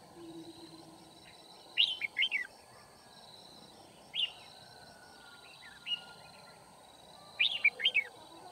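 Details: Red-whiskered bulbul singing during a trapping session at Kim Bôi, 9 February 2019, as a decoy calling wild birds. Sparse, loud, chirpy warbled bursts are separated by pauses of several seconds, with single sharp notes between them over a constant thin hum.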